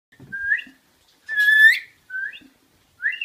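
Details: Pet rainbow lorikeet, bird-sat indoors, in a whistle game where a person whistles a tune for it to mimic: short rising whistled notes and one harsher, buzzy-edged rising whistle, with brief soft rustles between.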